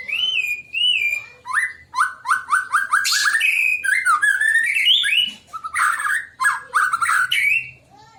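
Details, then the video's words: Provocative song of a white-rumped shama meant to make other shamas sing: a long, varied sequence of fluting whistles, a rapid train of repeated rising notes, and rich warbled flourishes. "kicauan santai tapi bikin emosi, murai manapun pasti ikut bunyi"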